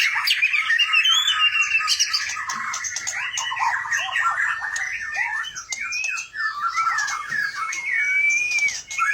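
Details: White-rumped shama of the Gunung Leuser Aceh type, a caged competition bird from a farm in Gayo Lues, Aceh, Indonesia, sings in the rolling ngerol style with long delivery: loud, rapid, varied whistles and slurred notes, with clear rising whistles near the end.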